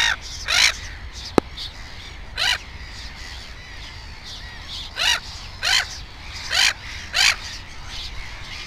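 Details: Black-headed gull at a nest with two chicks: short, harsh, rasping calls spaced about one second apart, each a brief grating burst, with one sharp click early on.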